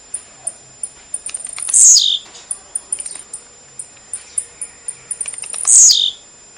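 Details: Blue-black grassquit of the 'tiziu de pulo' style, played to stimulate a pet bird to sing: two loud buzzy notes sweeping downward, about four seconds apart, over a steady run of thin high ticking pips.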